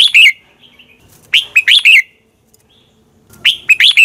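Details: Red-whiskered bulbul morning competition song, recorded as decoy sound: repeated clusters of three or four rich, rising-and-falling whistles separated by short quiet gaps, with faint soft chatter in between.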